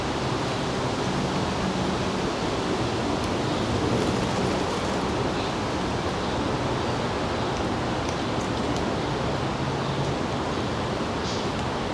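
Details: Steady broadband rushing noise, like wind or distant traffic, with a faint low hum and no clear animal calls.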